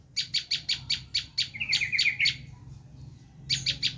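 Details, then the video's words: A Bar-winged prinia screams in a fast series of dry, harsh chips, then slides into a brief descending trill before falling silent and resuming the chipping; this lure sound is meant to draw wild prinias. "Suara asli prenjak lumut menjerit"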